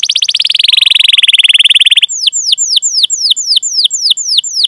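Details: Canary in a long 'ngerol' song used to coax other canaries into singing: a fast buzzy roll for two seconds, then a run of separate downward-curving whistled notes about three per second.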